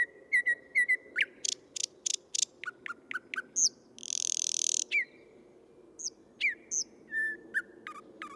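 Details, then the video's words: Male thrush nightingale, Tsaritsyno park, Moscow, May 2022, captured by parabolic microphone: strong whistles and tonal notes, heavy clacking strokes, a long rasping buzz, and scattered rising chirps in a rich, varied phrase sequence. "Соловей | Thrush Nightingale | Luscinia luscinia, ♂ поёт"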